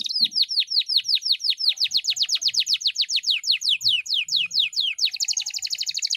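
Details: Agitated canary before a singing contest, delivering a loud fast series of downward-swept whistled notes, roughly five per second, ending in a high rapid trill.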